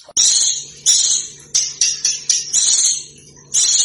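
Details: High, scratchy, irregular bursts of small bird song over a low background hum. The recording is a master track for training competition cage birds to copy other birds.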